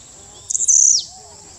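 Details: A Blue-black Grassquit at Las Peñas, Ecuador, gives one very high, buzzy note lasting about half a second, ending in a quick downward slur, over a steady high insect hiss.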